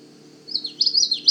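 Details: A male Common Yellowthroat singing in late spring by a beaver wetland at Manchester Cedar Swamp Preserve, New Hampshire, gives a quick series of high, rolling notes opening its 'witchety witchety' song, over a low steady hum.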